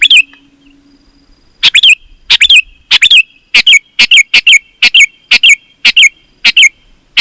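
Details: Sooty-headed bulbul, its song used to attract wild bulbuls; after a near-quiet start, quick chirpy, warbled phrases follow one another about every half second in a lively run.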